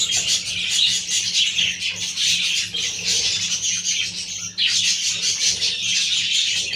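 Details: Budgerigar chicks calling in a dense, continuous chorus of high, raspy chirps and chatter, with a brief break before the noisy twittering resumes.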